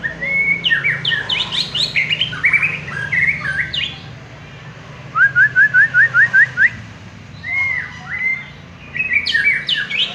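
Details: Prize-winning white-rumped shama delivering rich, tumbling song: rapid mixed whistles and chips, then a quick series of eight rising whistled notes, then sliding whistles and another dense warbled burst.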